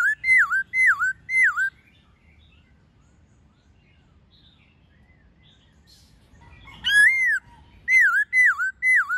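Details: Laughingthrush in wild voice with a female, played to captive birds: three looping whistled notes, a long quiet stretch, then more swooping whistles repeated about twice a second.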